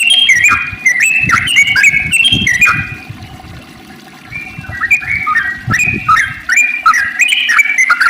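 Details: Yellow-vented bulbul song played to draw other bulbuls into singing: quick bursts of rich, bubbly whistles in fast phrases, a short quieter pause in the middle, then another lively burst, with faint low knocks.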